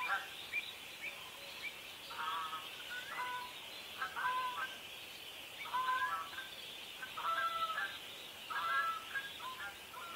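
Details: Pied avocets protecting their chicks during a territorial dispute, giving clipped, ringing calls in short clustered bursts about every one to two seconds, over a steady high hiss of background noise.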